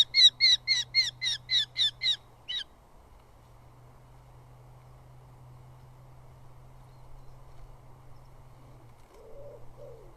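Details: Eurasian hobby chicks at a southern UK nest quarrel over food, moths, from the male; a short burst of rapid shrill squeals lasting under three seconds, followed by quiet with a low steady hum.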